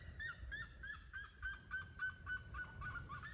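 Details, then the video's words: Seriema song: a quick, evenly paced chain of yelping notes, about three or four per second, each with bright overtones, sliding slightly lower as the series runs on; soft wind noise beneath. "Som de Seriemas Cantando"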